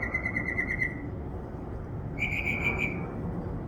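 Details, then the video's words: Backyard bird with a repertoire of over 20 sounds gives a rapid chattering series of clear chirps, a pause, then a second quick series slightly higher in pitch, against low background hum. "A bird twitterings more than 20 different sounds in my backyard."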